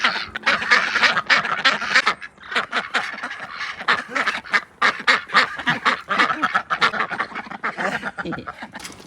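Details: Domestic ducks on a farm, greeted by their keeper during a daily visit: harsh, nasal quacks repeated rapidly, three to four per second, several birds overlapping in a busy chorus, with a woman's voice calling to them.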